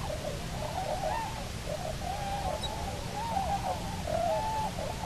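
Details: Cahow pair back on Nonsuch Island, Bermuda, 29 October 2018: drawn-out wavering, moaning calls almost without pause, gliding up and down, over a steady low background of wind and surf.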